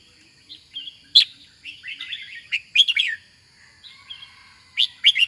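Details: Red-whiskered bulbul kept for singing contests gives a sharp loud note, then a string of bubbling, warbled whistles and a final emphatic burst, against a steady faint high tone and soft low rumble.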